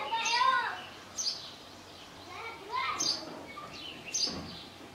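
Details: Russet sparrow in a valley in Kashmir giving short, high, thin chirps about once a second, each a brief sharp note, over steady background noise and lower voice-like sounds.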